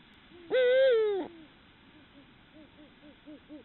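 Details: Eurasian eagle-owls (Bubo bubo hispanus) at night around copulation, a receptive female mating with a male, giving one loud, harsh, drawn-out wail lasting under a second, followed by a string of soft, quick, arched notes about four per second.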